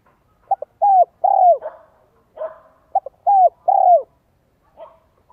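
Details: Spotted dove decoy with giọng son 1 cốt lỡ voice, calling to lure wild doves; two phrases, each two clipped notes then a pair of long, mellow, down-curving coos, with light rustles in between.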